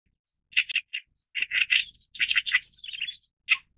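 Oriental reed warbler song: loud, harsh, grating chatter of rasping notes in quick doubled phrases, with a few thin high whistles mixed in.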